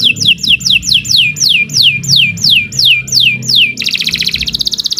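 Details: Canary singing as a lure to start other canaries singing: about ten clear slurred notes dropping in pitch, repeated roughly every third of a second, then switching to a fast buzzy trill; low hum in the background.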